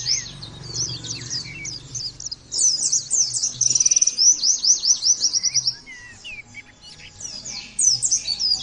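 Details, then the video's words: Oriental white-eye (pleci) singing in the 'nembak' style, heard in a training recording: very high, fast chattering twitters in dense runs, with a rapid buzzy trill in the middle, a short pause, then more twittering. A low hum lies underneath. "terapi pleci bikin nembak mudah di tiru langsung ngotot bunyi"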